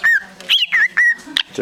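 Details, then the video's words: Parakeet at an animal shelter, described as beatboxing, gives four or five quick, clear whistled chirps that rise and dip, each about a fifth of a second, with a faint voice in the background; 29 March 2010. "Beatboxing Bird"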